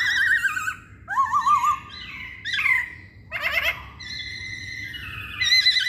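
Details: Masked laughingthrush song used as a lure to provoke other birds into singing: loud whistled phrases with wavering, warbled notes, separate bursts with short pauses, ending on a long sustained whistle. Faint low background hum.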